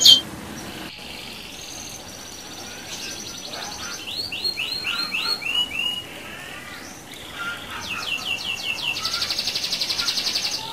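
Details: Canary bait song to stir other canaries: a sharp click, then held buzzy tones, a run of quick descending chirps midway, and a long fast rolling trill toward the end.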